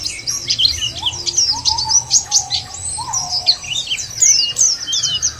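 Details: White-eye song played as a lure to make white-eyes sing: dense, rapid high twittering of sharp chirps and trills, with a few lower drawn-out whistled notes underneath.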